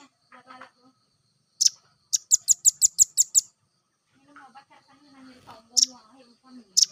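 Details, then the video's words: Velvet-fronted nuthatch, used as a lure call to draw others, giving sharp, very high chipping notes, one burst of about eight in quick succession plus single chips; a low voice-like murmur underneath. "Suara masteran Burung Rambatan Bahan"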